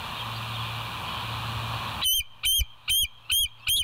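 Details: Bald eagle at West End on 24 September 2023, 06:59, on a live nature cam: two seconds of background hum, then five loud, ringing whistled notes with bent tips, evenly spaced about half a second apart.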